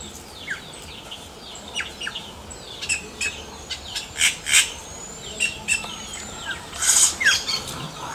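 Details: Yellow-rumped cacique singing in the wild with rapid repeated crackling clicks, short slurred whistles, and a loud harsh burst late in the sequence, over a busy chorus.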